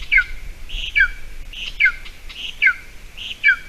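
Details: Golden eagle at a nest on a camera in Latvia, island and bog area, 28 June 2020 at 8:46 a.m., as the adult female brings a small mouse to the eaglet for breakfast; thin, sharp down-slurred notes repeat about every 0.8 seconds.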